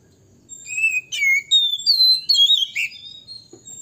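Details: Male Oriental magpie-robin singing a long rolling song that provokes rival males: loud varied whistles sliding up and down, quick chirps and twittering notes packed together, with a faint low background rumble.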